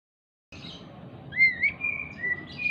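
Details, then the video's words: Agitated, jumping Oriental magpie-robin singing as a lure to make silent magpie-robins answer. After half a second of silence, a faint murmur gives way to clear, rising, whistled notes, then a long, level whistle with a fainter twittering overtone. "Pancingan Kacer MACET BUNYI, dengan Kacer EMOSI LONCAT INI, dijamin NYAUT GACOR KACERNYA"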